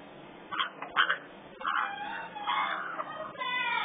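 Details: African grey parrot babies, three together at a parrot rescue, make a run of short hoarse squawks followed by longer wavering, whiny calls that run almost continuously to the end.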